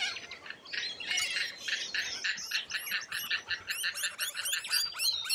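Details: Harsh, evenly pulsed screeches from Australian lorikeets, then a run of thin, high, upslurred whistled notes repeated several times a second over the chatter.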